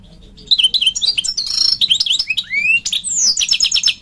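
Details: Male European goldfinch calling to a female: a loud, lively stream of twittering, tinkling notes, rising slurred whistles and a fast buzzy rattle near the end, continuous and varied.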